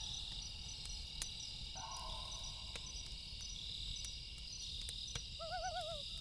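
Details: A loon calling at night gives a steady, mournful wail, then a brief quavering tremolo, over crackling campfire and a constant high insect hum.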